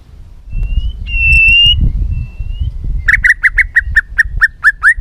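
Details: White-rumped shama, fired up and flicking its tail, singing a varied many-voiced song meant to provoke other shamas: long level whistles, then a rapid run of about ten sharp rising notes, over low rumbling background noise.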